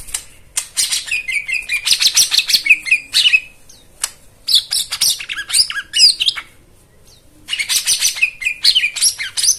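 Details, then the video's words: White-eye song played as therapy to coax caged birds that have stopped singing. Dense bursts of high, rapid twittering and chirps in two long runs, separated by short pauses. "Spesial Untuk Jomin dan Macet Bunyi Isian Mewah"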